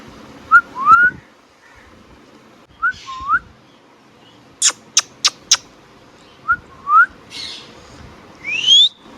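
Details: Pet Indian ringneck parakeet giving paired bent whistled notes, then a quick run of four sharp clicking chirps, more short whistles and a final rising whistle, in a quiet room.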